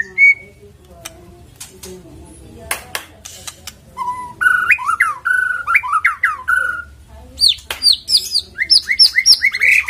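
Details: White-rumped shama song played as a lure to get a bird singing: a brief whistle, scattered clicks, then varied slurred whistled phrases and rapid high rising notes repeated in a fast series.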